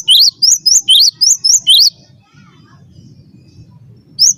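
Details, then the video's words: Cinereous tit used as training song for birds, giving a quick series of piercing high chirps that alternate between a lower upswept note and a higher one, then falling silent over soft low background rumble. "master suara burung gelatik batu gacor"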